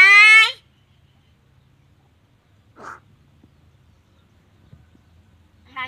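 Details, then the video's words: A talking myna gives a loud, harmonic, voice-like call lasting half a second, then a soft burst and a short harsh note after long quiet gaps. "សារិកានិយាយ Talking Myna birds"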